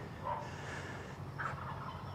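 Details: Two short, distant gobbles from a wild turkey beyond a fence at a cemetery in far eastern Minnesota near the Wisconsin border, each a quick rattling burst about a second apart, over steady low wind rumble.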